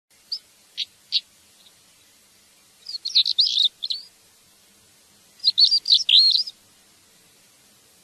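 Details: African stonechat song: three short separate chirps open, then two scratchy, warbled phrases of rapid twittering notes, each about a second long, in a quiet setting with no other sounds.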